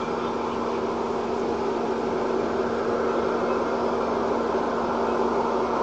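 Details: Steady broadband hum like a fan or engine fills the whole recording at an even level, with a faint constant tone and no animal calls.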